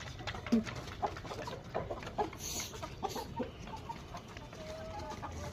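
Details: Male Rhode Island Red and Black Australorp chickens give short, low, irregular clucks and grunts, with scattered brief calls over a steady background hum and faint rustling.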